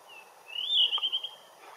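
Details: Blue rock thrush in the morning sun, delivering one sustained whistled phrase that swells, then breaks into four quick repeated notes before fading.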